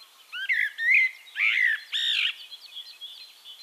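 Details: Eurasian blackbird song from Castricum, the Netherlands: four loud, rich warbled notes, rising and falling whistles closing in a harsher, squeaky ending. A faint, steady high twitter of other birds continues afterwards.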